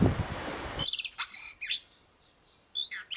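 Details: Blue rock thrush, Monticola solitarius, song used as a tutoring recording: after a burst of low rumbling noise, a few sharp whistled and sliding notes with quiet gaps between them.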